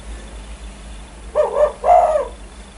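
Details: Spotted dove, a lively caller said to make other birds answer: one coo phrase, a brief wavering note followed by a fuller, longer coo, over soft steady hum.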